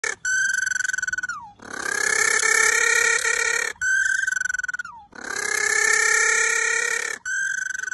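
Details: A Galapagos penguin (Spheniscus mendiculus) gives a donkey-like bray, a thin, high, drawn-out note and then a long, loud, rasping honk, heard twice with no other sounds.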